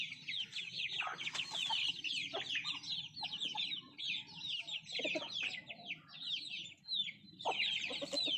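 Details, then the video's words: Native chickens eating; many thin, high, slurred peeps come in quick overlapping bursts, broken by a few louder pecking knocks and a low background hum. "Nattu kozhi Food eating and sound effect"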